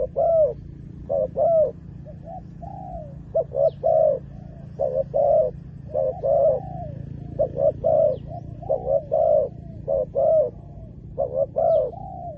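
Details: Spotted dove calling to lure wild doves: a long series of soft, low coo phrases, each made of two or three clipped notes and a sliding tail note, repeated regularly with a low hum beneath.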